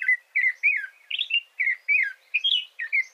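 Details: Pycnonotus jocosus, the red-whiskered bulbul, delivers a rapid chain of cheerful, warbling two-part notes, each swooping down then up, roughly three per second, with no other sounds audible.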